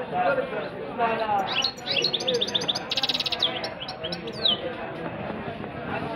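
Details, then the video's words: Goldfinch singing in a rolling style: fast bursts of high tinkling notes, a brief buzzy trill, then a downslurred whistle, with people talking throughout. "goldfinch is very Nicely rolling and singing"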